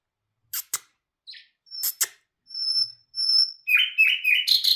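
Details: Nightingale (bulbul hazar dastan) song with sharp clicks, a short note, thin high sustained whistles, then a quick series of chirping notes at the end, no other sounds.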